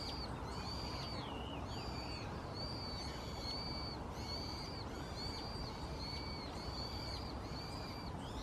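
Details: Possible brown-headed thrush filmed 2 January 2015 on a Canon PowerShot SX60 HS, perhaps declaring territory, resembling pale thrush calls: thin high arched notes repeated steadily about once a second over a constant low rumbling background.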